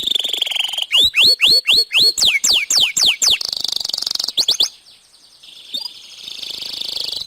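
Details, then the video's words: Canary singing at length as a lure to set other canaries singing: a buzzy note, then evenly spaced falling whistled sweeps, a quick clipped trill, and a quieter, softer buzzy passage toward the close. "Bunyi Burung Kenari Gacor Panjang Cocok Untuk Pancingan"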